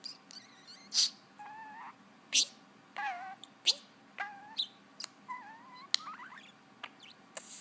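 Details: Pet parakeet making odd noises and talking: a string of varied chirps, warbled whistles and wavering squeaky notes, some like mimicked words, spaced about every half second, with a woman's voice nearby.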